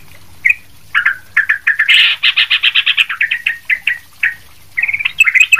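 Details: Sooty-headed bulbul singing loudly and lively, used as a tutor recording for other bulbuls; rapid series of short, bright chirped notes, a brief harsh burst near the middle, then spaced chirps and a quick closing flurry.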